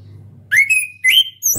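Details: Orange-headed thrush, a young bird practising ngeplong singing: two clear whistled notes, the first climbing and then levelling, the second rising then sliding down, followed by a brief high note. The background is otherwise quiet.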